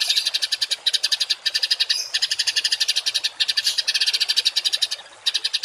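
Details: Songbird in a masteran training recording of harsh 'tembakan kasar' phrases: dense, rapid, rattling high notes in a nearly continuous stream, broken by brief gaps.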